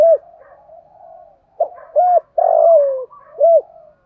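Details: Spotted dove calls played to prompt a silent caged dove to coo: a series of soft, mellow coos with short hooked notes and one longer drawn-out note sliding downward, in a quiet setting.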